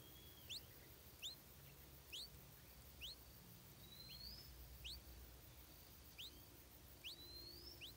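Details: Stripe-throated bulbul chick, hungry and being fed insects by its mother: short, sharply rising high chirps repeated roughly once a second, with a thin steady whistled tone and faint low background rumble.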